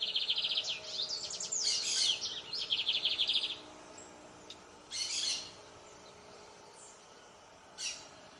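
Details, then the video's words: Lined seedeater singing a rapid, high, rattling trill for about three and a half seconds. Rasping buzzy notes follow at intervals of roughly three seconds against quiet background noise. "Canto de bigodinho"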